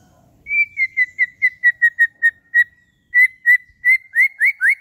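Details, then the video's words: White-rumped shama, its song used to rouse other shamas to sing: a string of pure, evenly spaced whistled notes at one pitch, briefly pausing, then resuming and ending with upward-swept notes. "PANCINGAN MURAI BATU AGAR EMOSI DAN BUNYI"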